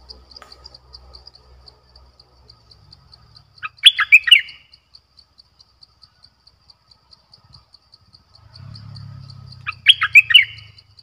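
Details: Decoy bulbul in a cage, 18 December 2021, repeats the same bubbly four-note phrase twice about six seconds apart, against a continuous rapid high-pitched ticking and a brief low rumble.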